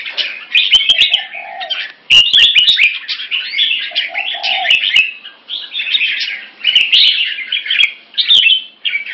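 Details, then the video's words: Captive red-whiskered bulbul in Singapore performing a fast wing display while sparring in rotation; quick chattering warbled phrases in bursts, with a couple of short low hooting notes and sharp clicks between. "Jambul -สิงคโปร์เลี้ยง นกหัวจุก Dragon3 (Keke Machine Fast Beewing Display) Rotational Sparring"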